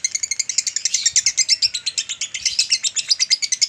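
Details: Male lovebird chattering at length as a training recording for other lovebirds, quick scratchy pulsed notes repeated evenly throughout.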